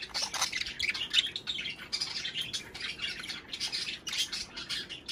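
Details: Budgerigars chattering, a recording meant to encourage pairs to mate and lay eggs; continuous scratchy warbles and sharp chirps run without pause, bright and high, several voices overlapping.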